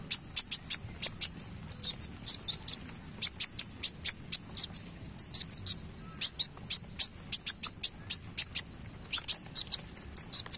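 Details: Wulung sunbird singing vigorously while flicking its tail: rapid bursts of very high, thin chirps and trills in clustered phrases with short pauses, steady throughout, over a faint low background hum.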